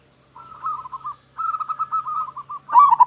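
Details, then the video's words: Loud local Zebra dove lure song: two rolling, rippling coo phrases of quick pulsed notes at a steady mid pitch, the second longer, ending in a sharper, louder burst, over a faint low hum. "Perkutut Lokal Gacor Suara Besar Suara Paling di Sukai Burung Perkutut apa Saja"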